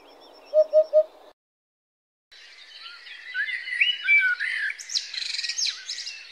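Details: Common blackbird song: a rich, warbling run of fluty phrases mixed with higher squeaky twitters for about four seconds, after three low, hollow hoots from a different bird at the start.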